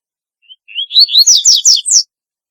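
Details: Double-collared seedeater with a distinctive, unusual song, one strophe starting with a thin whistle and climbing into a quick run of loud, bright, slurred whistled notes lasting about a second and a half.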